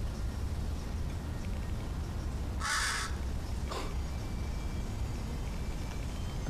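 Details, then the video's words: Strange crow sounds heard on investigation: one harsh burst followed by a thinner, shorter note about a second later, against steady low background noise. "Crows sure make strange sounds"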